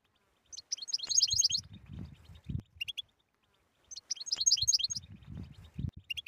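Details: Two bursts of fast, high, chattering twitters from a European goldfinch, each closing with a couple of short sharp notes, over faint low thudding.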